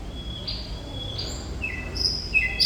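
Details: Thrush nightingale song ('gacor'), fairly quiet: two long level whistles, then a run of shorter notes at stepped pitches and very high thin whistles rising toward the end. Constant low background noise.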